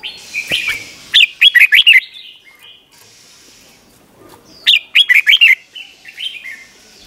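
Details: Red-whiskered bulbul singing the 'เบิ้ล' style for training young birds: two matching phrases about three and a half seconds apart, each a rapid set of four or five bright, looping, warbled notes.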